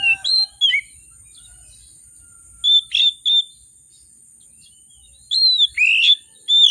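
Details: Agitated oriental magpie-robin singing to provoke reluctant magpie-robins into song: loud, clear whistled notes and short slurred phrases in bursts with pauses between, over a steady thin high-pitched whine throughout.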